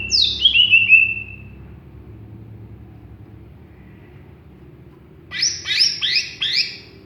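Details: Greater green leafbird, a raw bird not yet in full song: a high whistled phrase sweeping steeply downward, then silence, then a burst of four buzzy, rapidly repeated notes near the end.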